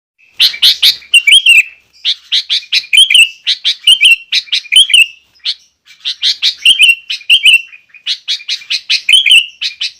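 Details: Sooty-headed bulbul singing persistently, used as a lure and tutor song to provoke other bulbuls and teach young birds; dense bursts of sharp, chirpy notes with slurred whistles, broken by brief pauses near two and six seconds, no other sounds.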